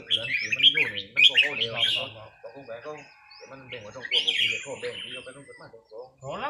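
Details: Caged red-whiskered bulbul during a casual practice session on a free day, giving bright chirpy phrases in quick bursts with a pause midway; men talk steadily underneath throughout.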